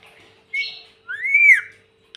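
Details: Pet parrot talking, imitating 'mummy': a short flat whistled note, then a longer clear whistle that rises and falls in a smooth arch, in a quiet room with a faint steady hum.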